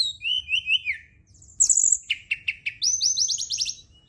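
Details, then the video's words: Brown-chested jungle flycatcher song at night for stimulating singing: three repeated rising whistles, a sharp high burst, short spaced chips, then a fast run of identical high trilled notes. "Pancingan & Terapi Burung SRDC dimalam hari biar tambah GACOR & CEPAT NGEPLONG"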